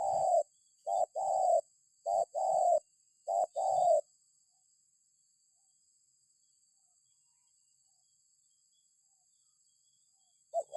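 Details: A spotted dove, played to prompt other birds to answer, gives four quick coo phrases in a row, each a brief note plus a longer coo, then about six seconds of silence before the calling starts again.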